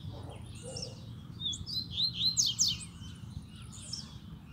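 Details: Caged male double-collared seedeater (coleiro) gives a brief burst of high, quick twittering and chirped notes near feeding wild seedeaters including a female; faint low background noise.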